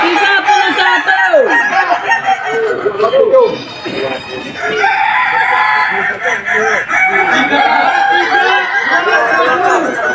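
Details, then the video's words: Contest roosters of the Kukuak Balenggek breed crow at the Boko class final, Sawahlunto, West Sumatra, 2025; overlapping tiered crows with sliding notes, one bird dropping out midway, amid steady crowd voices. "Ayam kukuak balenggek terbaik tampil di final klas boko di Sawahlunto"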